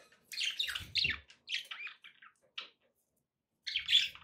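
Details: Pet budgies chattering in warbled, scratchy chirps with a soft low rumble, a pause, then a final loud chirping burst.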